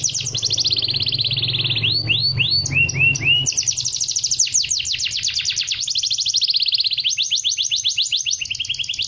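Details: Canary singing, used as a tutor song for other birds to copy: rapid buzzy trills of descending notes, a few slower rising-falling whistles midway, then long rattling rolls, over a steady low hum.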